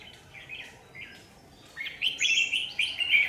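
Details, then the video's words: Lure red-whiskered bulbul singing at a trap set on a power line, 27 January 2019; soft warbled notes at first, then a louder run of rich, rolling phrases with brief higher notes. "Bẫy chào mào Dây điện"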